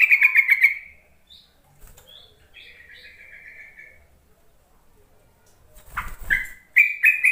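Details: Yellow-vented bulbul calling to lure lazy, newly caught bulbuls into song: a quick bubbling chatter, a thin trailing buzz, a pause, a low thump, then further rippling bursts.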